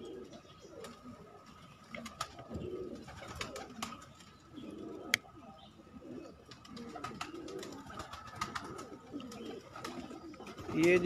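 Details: Loft pigeons coo in deep, rolling bouts over a steady hum, with scattered clicks and wing taps. A louder flurry comes at the very end.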